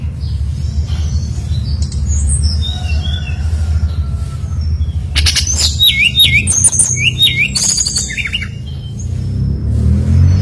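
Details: Brown-chested jungle flycatcher lure song meant to set other birds singing: faint scattered whistles at first, then a dense run of sharp clicks and quick hooked chirps midway, over strong low-pitched background noise.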